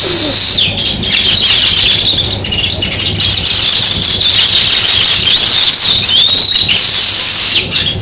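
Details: Sparrows chirping in a dense, continuous chorus of high, overlapping chirps with a few rising and falling notes, steady through the whole stretch, outdoors.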